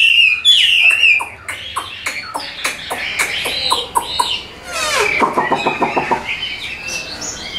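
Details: Caged Hwamei with golden legs and bill and marked facial pattern, sold as a songbird in Vietnam; loud whistled opening slides, then rapid series of sharp repeated notes and buzzy rattling phrases.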